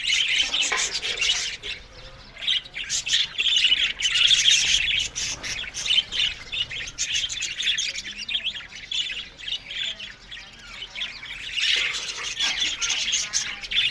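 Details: Australian budgerigars in an aviary colony, chattering together in dense, high, scratchy warbles and chirps that overlap continuously, swelling and fading in loudness with brief quieter dips.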